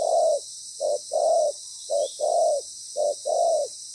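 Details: Decoy spotted dove used in ground trapping, loud and well-patterned, giving deep coos as a short note followed by a longer, fuller one, three pairs in quick succession against steady background hiss.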